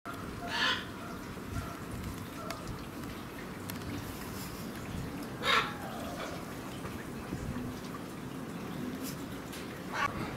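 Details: Hyacinth macaw (Anodorhynchus hyacinthinus) at Higashiyama Zoo, Aichi, Japan, on 22 January 2019 gives three short, harsh, grating squawks about five seconds apart over a steady background murmur of crowd noise.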